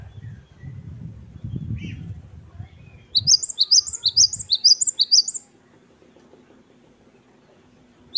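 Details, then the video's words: Great tit known as gelatik batu wingko sings in wucit-wucit kristal style: after low rumbling noise, a two-second string of about eight shrill, rising-falling double notes, then near silence with one faint final note. "Gelatik Batu Wingko Gacor | WUCIT2 KRISTAL | Great tit birds | Parus Major"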